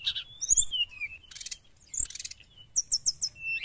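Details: Sooty-headed bulbul, lure recording for wild birds: a few clear descending whistles and a harsh buzzy note, then a quick run of four or five high chirps and a final whistle.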